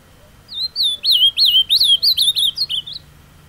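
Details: Carapuça-style song from a kept ultramarine grosbeak, taken outside to a pretty place to sing: a bright, fast string of around twelve slurred, wavering whistles, each note bending up then down, ending with a short lower flourish.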